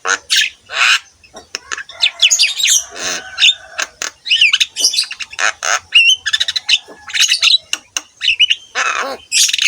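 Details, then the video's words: Javan myna song used as a training recording for other mynas: a dense run of harsh squawks, rattles, clicks and short whistled notes, mostly high-pitched, with brief gaps between bursts. "KICAUAN BURUNG JALAK KEBO GACOR COCOK UNTUK MASTERAN SEMUA JENIS JALAK"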